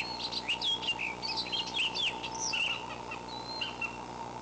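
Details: Eagle parent at a nest watched by camera on May 26, calling in apparent distress, a similar call heard at 11:00 that morning: a rapid jumble of thin, high chirps and squealing notes over a steady electrical hum.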